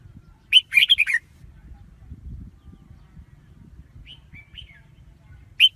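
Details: Red-whiskered bulbul lure song for trapping: one fast burst of five warbled notes, followed by a couple of faint soft notes and a final chirp, with a low rumbling hum underneath.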